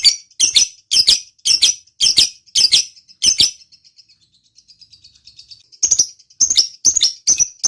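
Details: A lovebird, being stimulated into its 'ngekek' chattering song, gives a long, rapid run of shrill, chattering chirps in quick bursts.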